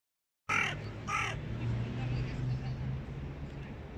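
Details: Hooded crow, a fierce dominant bird forcing young crows to submit: two harsh, loud caws half a second apart, followed by low rumbling background noise.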